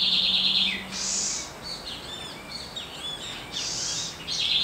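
A Southern House Wren sings a fast, bubbling jumble of high trills and buzzy notes, phrases tumbling quickly one after another against a quiet background.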